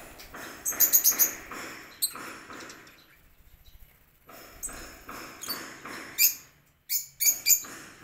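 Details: Lovebirds in a home aviary with a garden and pond, queuing for a lunch of corn; bursts of shrill, high chirps in quick runs, separated by quieter stretches of steady rhythmic scraping pulses.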